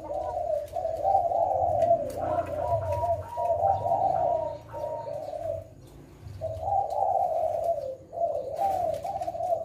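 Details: Spotted dove, 'Leopard' variety, singing vigorously in the 'kuk 6' style from Indonesia: long phrases of rolling, husky coos with brief higher notes overlapping, a pause near the middle, then more coos.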